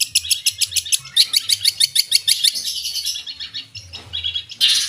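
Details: Long-tailed shrike singing energetically with mimicked phrases: a quick series of high, evenly spaced chirps that speeds into a buzzy run, then fades before a final harsh burst.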